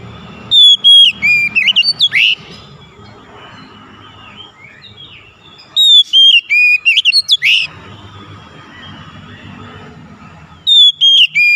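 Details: Magpie-robin singing, used to prompt a quiet bird to sing: bright whistled phrases of slurred notes and short chips, repeated about every five seconds over faint background hum.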